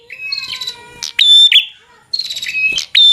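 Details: Bar-winged prinia singing a fighter-style song used to provoke rivals: a soft rising note, then a sharp snapping click and a bright steady whistle, repeated twice.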